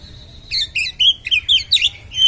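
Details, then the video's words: Oriental magpie-robin uttering a sharp song to provoke other magpie-robins: a faint steady whistle, then loud rapid twisting whistled and scratchy notes repeated several times within two seconds. "kacer konslet suara tajam part2 (vidio original memancing kacer anda konslet"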